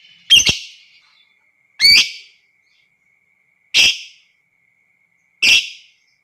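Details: Lovebird, a lure recording of long ngekek meant to provoke other lovebirds into calling: four harsh, shrill screeches, each about half a second long, spaced roughly every two seconds over a faint steady high tone.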